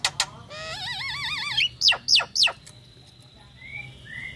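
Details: Calling female Nias hill myna in breeding condition, summoning the male: a quavering warbled whistle, then three sharp, loud downslurred notes, followed by a steady faint tone and soft slurred whistles.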